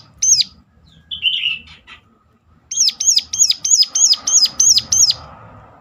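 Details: Sunda warbler's sharp lure call, meant to encourage others of its kind to sing: one shrill note, a soft twittering phrase, then eight evenly spaced high hooked notes.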